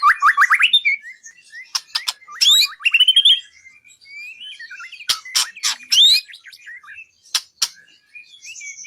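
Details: Training recording for songbird contests with white-rumped shama song: a rising rapid trill, scattered sweet whistles and warbles, interrupted by sharp clicking bursts.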